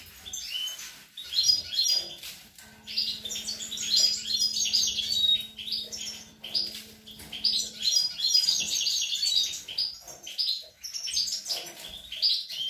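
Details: European goldfinch feeding young, recorded 25 April 2021: a long, continuous stream of high, sparkling twitters and trills, lively and uneven, with a low hum during the middle stretch.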